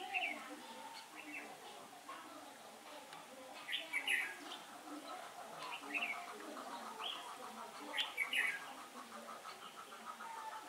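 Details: Red-whiskered bulbul heard during bird trapping on a day of changing wind, 15 October 2017: short whistled, warbling phrases recur every few seconds, faint over a steady background hiss with a low continuous hum.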